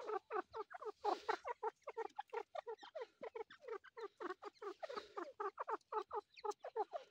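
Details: Grey partridge chick calling: a rapid, steady run of short, downward-slurred notes, three to four each second, continuing without break.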